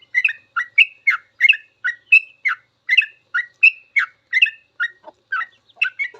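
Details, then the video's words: Long sooty-headed bulbul ropel song used for masteran, a fast chattering sequence of bright chirps and slurred whistles, several per second, with a few lower dipping notes near the end. "Suara trucukan full ropel panjang cocok buat masteran trucuk belajar bunyi langsung ikut ropel"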